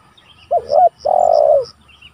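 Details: Spotted dove calling to rivals, a recording used as a lure and for training: a short hooting note rising to a brief coo, then a longer, steady, slightly vibrating coo fading down at the end, with faint high chirps behind.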